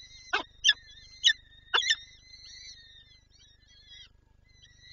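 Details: Peregrine falcon mother in Lublin, Poland, on 23 April 2024, wanting to feed her young. Four harsh, rasping calls come in quick succession, then fade into drawn-out, wavering high-pitched whines.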